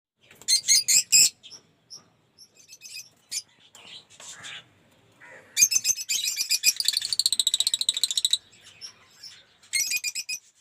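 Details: Lovebirds in an aviary collection of colour mutations, including Cinnamon Opaline, Off Pallid and Blue Aqua Rosy, giving sharp, high chirps in quick bursts, with a dense, rapid run of chattering notes in the middle and faint sounds in between.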